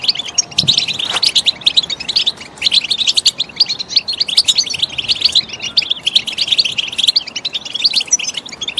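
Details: Goldfinch song offered as stimulation for training: a fast, unbroken stream of bright, high chirps and liquid twittering trills, densely jumbled, with short lulls near two and a half and six and a half seconds and a soft low thump early on.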